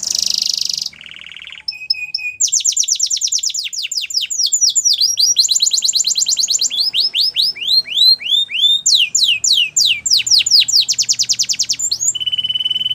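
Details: Canary song for training birds: harsh buzzy opening and short pure whistles, then long sequences of rapid falling trills at changing speeds, closing on a steady high buzzy note; faint low hum in places.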